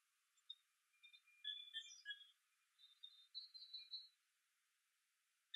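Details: Pine siskins (Spinus pinus) in birch trees, November 24, 2012, give soft, high twittering chips and a thin, drawn-out, slightly rising note over about four seconds in a quiet setting.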